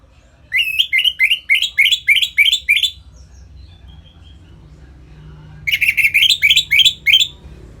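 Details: Orange-headed thrush singing in the energetic ngeplong style, used to lure other birds into breeding condition: two bursts of about eight rapid, rising whistled notes near the top of the range, separated by a quiet pause with faint low hum.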